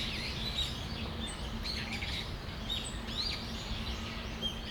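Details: Brown-eared bulbuls in Tamagawadai Park on a December afternoon giving scattered high, rising and falling squeaks, overlapping in short bursts against a steady low drone.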